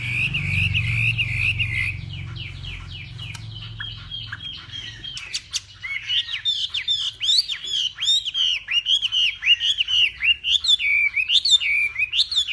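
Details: Hwamei from Vietnam's northwest singing in the morning as contest practice: a sustained wavering whistle, then many sharp, looping notes building into a loud, rapid, varied series over a quiet background.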